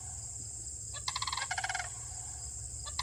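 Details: Michigan sandhill crane pair calling back and forth from a field. One rattling, trumpeting burst lasts under a second against a constant shrill background hiss.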